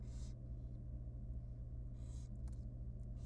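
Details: Tiny wild barn owl chick in a research nest box at feeding time: two short hoarse hisses separated by over a second, with a couple of sharp clicks and a low background hum.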